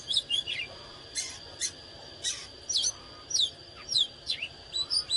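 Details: Oriental magpie-robin in fired-up song: short sharp whistled notes and downslurred chips delivered every half second or so, fairly soft, with a thin steady high tone in the background.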